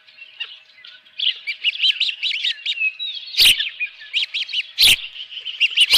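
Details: Osprey at the Dunrovin Ranch nest holding a live fish, 24 June 2018, 7:32 AM; rapid series of clear, high, down-slurred cheeps repeated steadily, broken by three loud sharp bangs.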